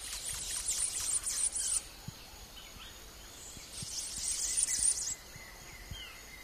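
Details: Blue-tailed Emerald in Peru giving two bursts of very high, dry, rapid twittering chips, each lasting a second or more, over faint background hiss.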